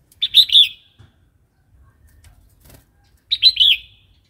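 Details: Red-whiskered bulbul in wild-style song, used to train young and wild-caught birds: two cheerful rolling whistled phrases about three seconds apart, with a faint click or flutter between them.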